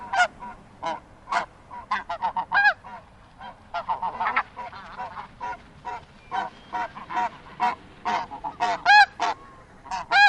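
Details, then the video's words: A flock of Snow Geese in Wisconsin gives a steady stream of harsh, nasal honks, several per second at times, overlapping as the birds call together. "Snow Goose"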